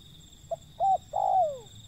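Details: Wild zebra dove giving one low cooing phrase: a short note, a level coo, then a longer coo gliding steadily down, over a quiet humming background.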